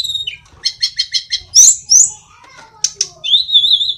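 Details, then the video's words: Small mountain tledekan from Kokap, Kulon Progo, Yogyakarta, said to imitate many songs: a series of evenly repeated chirps, loud high squeals, soft warbles, then a long wavering whistle. "tledekan/sulingan gunung gacor"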